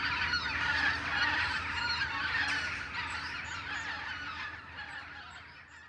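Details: Western jackdaw flock returning from roosting trees in the morning; overlapping harsh calls, loud at first, then thinning and fading as the birds move away.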